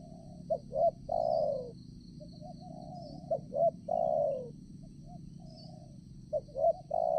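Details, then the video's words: Spotted dove used as a trapping decoy for wild doves, new trapping site; three repeated phrases of two clipped notes and a long sliding coo, with softer distant coos between and insects droning high. "BL ganteng untuk pecinta burung tekukur"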